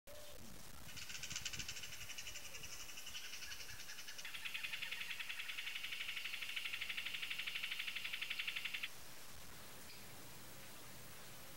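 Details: Amazon kingfisher pair: a dry, rapid ticking rattle, about four notes a second, runs steadily for roughly eight seconds and shifts slightly lower in pitch midway, over quiet outdoor background.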